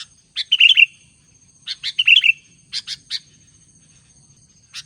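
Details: Albino Sooty-headed bulbul singing vigorously: short bubbly, liquid phrases of rolling whistled notes, each led by sharp high chips, two phrases about a second apart and then a run of separate clipped chips, with a faint low hum beneath.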